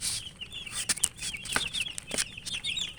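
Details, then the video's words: Domestic chicken chicks (murgi) chirping while eating: scattered high thin peeps with sharp pecking clicks and taps throughout. "Murgi chicks Chirping sounds and eating"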